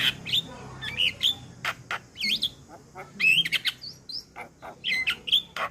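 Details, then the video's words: Adult male Javan myna singing, played to train a young bird: sharp clicks alternating with clear, bending whistled notes and squeaky slurs in quick, broken phrases. "Masteran Burung Jalak Muda Dengan Suara Jalak kebo Jantan Full isian"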